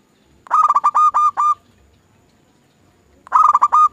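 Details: Lure recording of a zebra dove singing: two bursts of song, each a fast stuttering run of bright cooing notes ending in longer rolled notes, separated by a few seconds of quiet.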